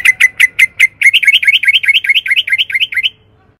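A Sooty-headed bulbul gives five separate chirps, then a quick run of about a dozen bubbly, upward-slurred notes, several each second. Little else is heard.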